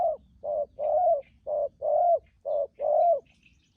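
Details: Decoy spotted dove cooing loudly and evenly, each short hollow note followed by a longer, slightly rising coo, repeated about once a second in the urging 'thúc gù' manner.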